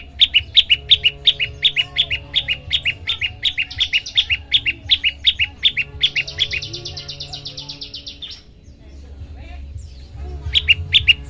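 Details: Olive-backed tailorbird song used to get other birds singing: a rapid series of loud, high chips about three a second, interrupted by a fine buzzy trill, a short pause, then the chips resume, with low background hum.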